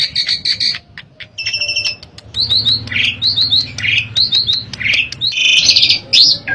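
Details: An Asian pied starling in full song, used to prompt other pied starlings to sing, gives a lively medley of sharp whistles, quick rising chirps and harsh chattering notes in rapid bursts with short pauses.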